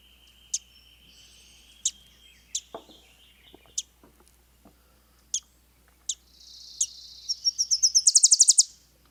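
Wilson's Warbler: a fast, high chattering run of about a dozen chips that starts soft and swells louder toward the end, after a few scattered sharp clicks.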